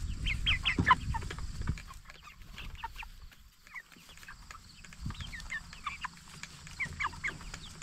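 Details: Broiler chickens of the Jumbo Cornish Cross type, 44 days old and raised for meat, peep in quick falling notes, loudest in the opening second, then quieter scattered chirps with low thuds and hum.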